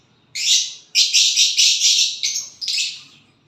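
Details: A violet bird calling when it gets a partner, giving loud, grating, high buzzy notes linked in a near-continuous rasping chain with brief breaks, lasting about three seconds.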